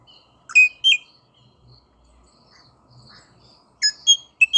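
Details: Rosella calls: a few sharp, clear whistled notes in two quick pairs, separated by a quiet stretch of faint chatter.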